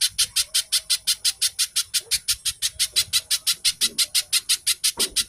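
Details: Captive-bird lure recording of a little spiderhunter delivering rapid chattering song: a long, even run of about thirty piercing high chips at roughly six per second, meant to prompt other birds to start singing.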